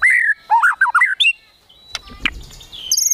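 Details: White-rumped shama in kretekan tembakan song, used to provoke emotion: a quick series of loud whistled slurs rising and falling, then quieter clicks, scratchy sounds and a high thin phrase.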